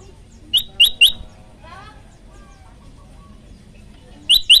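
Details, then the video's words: Olive-backed tailorbird (prenjak lumut) training song: three loud sharp chirps, a soft twittering warble in between, then two more strong chirps at the end. "masteran handal prenjak lumut gacor variasi"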